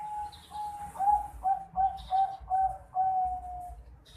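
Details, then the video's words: Juvenile zebra dove of the Bangkok type, aged 4.5 months, delivers loud, clear notes in pulses about every half second, ending in a longer drawn-out note. The notes are fairly steady in pitch over quiet low rumbling. "Suara Teriakan Piyek Burung Perkutut Bangkok Umur 4,5 Bulan"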